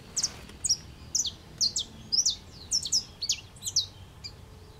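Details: Saffron finch, yellow plumage, singing while perched in an aroeira tree in Brazil; a series of high, sharp descending chip notes repeated about twice a second, some doubled, with faint background rumble.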